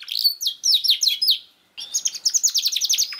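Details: Canary song used as a lure to prompt a young canary that is not yet singing: fast high trills of repeated sweeping notes, a brief pause, then a bright, even, rapid trill.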